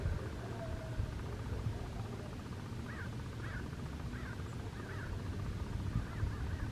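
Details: Roosting crows, a flock of roughly 6,000 or more, at a golf course seen from Saddleback College, Mission Viejo, California, in November 2018; a run of short distant caws roughly every half second, set against constant low background rumble.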